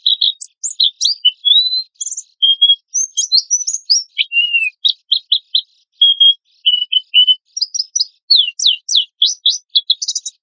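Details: Vigorous 'gacor' singing from an Oriental white-eye as a lure: high clipped chirps and short whistles, a quiet gap near six seconds, then a run of rapid down-slurred notes and twitters.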